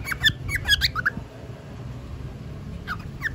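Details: Bored pet cockatiel chattering: a quick burst of sharp squeaky chirps in the first second, a quiet pause, then two more thin squeaks near the end, recorded indoors with faint low background hum.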